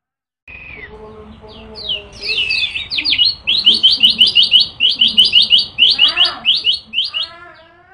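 A yellow-bellied prinia sings a fast, high, chirping run of repeated notes, about three per second. Other birds' trills and a low hum come in briefly.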